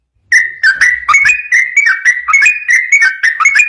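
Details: Sooty-headed bulbul song used as a lure for training other bulbuls. It is a fast, lively string of clear whistled notes at a steady mid pitch, each opening with a sharp chirp, repeated without pause after a short silence.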